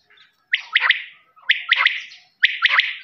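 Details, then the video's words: Quail, locally called lawa, giving three short bright clipped notes in a quick rising-and-falling phrase. The phrase repeats three times, roughly once a second, with short silences between and no other sounds. "Voice of quail's | lawa birds"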